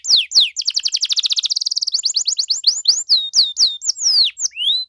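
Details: Vigorous canary song in the ornate 'cengkok mewah' style, used to prompt other canaries to respond. Two falling whistles lead into a rapid buzzy trill, then a series of clear, swooping descending notes at a steady pace.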